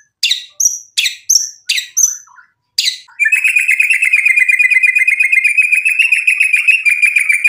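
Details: White-rumped shama singing mimicked fill phrases as a lure for other shamas: five sharp descending whistled notes spaced about half a second apart, then a long, even, buzzy trill of rapidly repeated notes.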